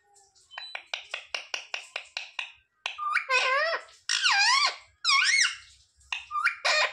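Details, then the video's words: Pet parrot mimicking words such as "mummy papa" indoors: a run of short rapid clicking notes, then drawn-out wavering, speech-like syllables with bending pitch. "Parrot talking mithu mithu 😱Mummy papa bolne wala mitthu"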